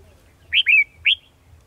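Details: Red-whiskered bulbul decoy in a trap, 18 December 2020: three loud, clear whistled notes, the middle one drawn out and sliding downward, in quick succession.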